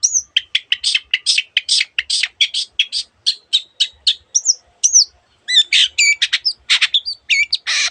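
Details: Long-tailed shrike singing vigorously on a tutor recording for reluctant singers, rich in imitated birds' sounds: a fast, dense run of scratchy chattering notes mixed with whistled slurs and squeaky trills, nearly continuous for eight seconds.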